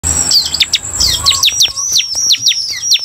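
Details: Bar-winged prinia; song; stimulating other prinias to sing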